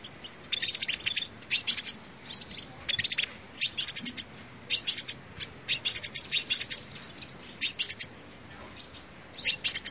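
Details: Lure recording of a sunbird: short, bright, high-pitched twittering phrases, each under a second, repeated about every one to two seconds with brief quiet gaps.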